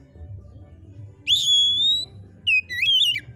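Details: White-rumped shama singing: a long clear whistled note falling slightly, then a brief pause and a quick burst of twisting, rapidly modulated whistles over a faint low background hum.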